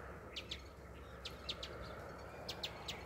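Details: An Indian house sparrow singing: short, bright chirps in loose clusters of two or three, repeated about every second, over a steady low hum.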